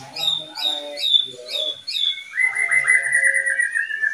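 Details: Oriental magpie-robin from a caged breeding pair: a run of five quick descending chirped notes, then a long sustained buzzy whistled phrase with a high thin overtone, loud and close.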